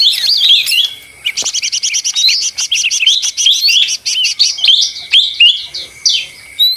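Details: Noisy leafbird song opens with a few whistled notes, then a long, even-paced string of rapid high chirps, ending in varied whistles and slurred notes.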